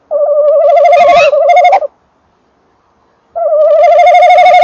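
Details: Evening recording beside a nest box: a male tawny owl utters a loud trembling note lasting nearly two seconds, falls silent for over a second, then starts another steady quavering note.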